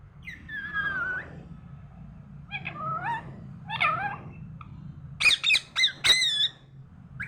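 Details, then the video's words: A parrot talks in the morning: warbling, speech-like harmonic phrases that bend up and down, followed by a cluster of sharp clicks and harsh squawks near the end, with a low hum in the background. "morning orijnal telking parrot"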